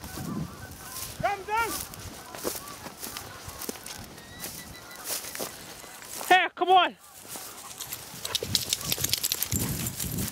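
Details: Honking from thousands of Canada geese gathered by the Salmon River near Truro in March 2014. Two short, rising-falling nasal honks stand out about five seconds apart over a murmur of distant flock calls and rustling outdoor noise.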